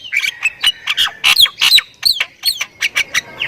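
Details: Thai Javan myna, described as very vocal and full of fills. A quick jumble of squawky chirps and sharp, descending whistled notes arrives in uneven bursts.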